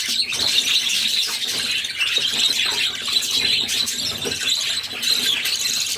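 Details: Budgerigar chicks begging while their mother feeds them, six young in the brood: shrill, wheezy squeals packed tightly together, rough and continuous for the whole stretch.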